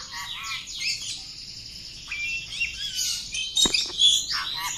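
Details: Oriental magpie-robin, a household bird facing a courage test, sings fast descending whistles that run into a sustained high buzzy trill, punctuated by a sharp click and loud squeaky notes toward the end.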